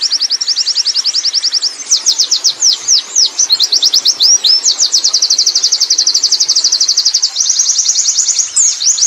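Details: Wild Oriental white-eye singing in the rolling ngerol style: a continuous stream of rapid, high, thin chirped notes, some fast trills and some sweeping slurred notes, run together for the full nine seconds with no pause.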